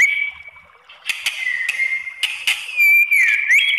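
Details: White-rumped shama song used as a provoking lure to make other shamas answer and fight, with sustained whistled notes near one pitch, sharp clicking bursts, and a bright rising-falling whistle toward the end.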